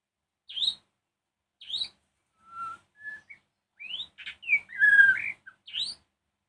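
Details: In the evening, a white-rumped shama sings to make rival shamas respond: separate sharp upslurred whistles, then quiet level tones, building to a loud, rich warbled phrase before a final bright note.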